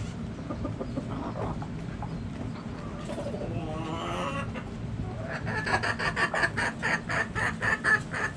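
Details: Backyard chickens: quiet murmuring at first, then a steady series of sharp, pulsed clucks about two per second in the last three seconds, over low background noise.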